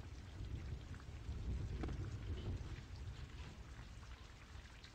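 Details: Steady heavy rain with rumbling thunder and a dense low roar throughout, one brighter spatter near the two-second mark, and no animal voices.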